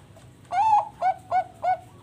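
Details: Perkutut bangkok (zebra dove), a captive bird from a breeding farm in Bekasi, West Java, Indonesia, singing as a lure to prompt other doves to sing: one long, mellow, slightly rising coo, then three short clipped coos about a third of a second apart.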